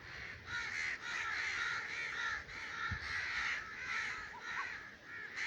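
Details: Hoarse, grating raven caws during the breeding season, delivered in an almost unbroken chain of overlapping calls with brief dips between bursts.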